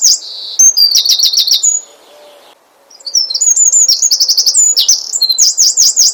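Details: Asian brown flycatcher song used to provoke singing in other birds: bursts of quick, very high repeated chips and V-shaped slurs separated by a short pause.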